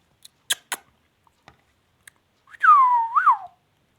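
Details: Indian ringneck parakeet, a pet parrot indoors, gives one loud whistled call that falls and then rises briefly near its end. Short clicks and taps come before it.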